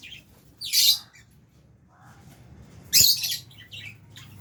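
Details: Two loud, harsh squawks about two seconds apart come from lovebirds, albino and Fisher's, eating food in an aviary alongside budgies, with faint softer chirps between them.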